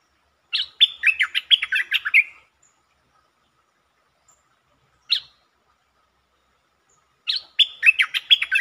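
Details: Streak-eared bulbul recorded 13 February 2023, delivering many song styles including long and doubled songs: two quick, chattering phrases of bubbly whistled notes separated by a pause and a single note, background quiet.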